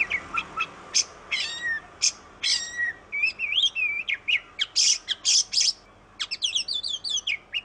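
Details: Oriental magpie-robin (kacer, Indonesia) singing a melodious, varied song: high sharp chips mixed with slurred whistles and rising and falling phrases, delivered in quick, irregular bursts throughout.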